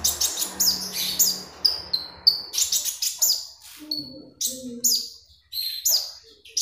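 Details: Energetic magpie robin song meant as a master sound for training: crisp high whistles and downslurred chirps in quick succession, short pure tones between them, with a low hum at the start.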